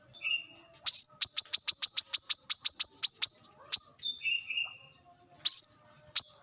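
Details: Wild brown-throated sunbird, recorded for luring and training birds. It gives a fast run of about fifteen sharp, high ticking notes, then short rising whistles and another bright upslurred chirp.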